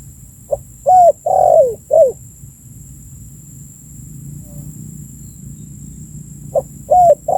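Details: Spotted dove cooing, used as a lure for birds: a phrase of soft, low coos with a drawn-out falling middle note, a pause of several seconds, then the phrase starts again. A steady faint hum runs underneath.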